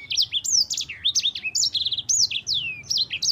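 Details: Loud, clean rolling song of a champion yellow-fronted canary: quick sequence of piercing whistled notes, looping and downslurred, with one short rattling trill midway, almost no background noise.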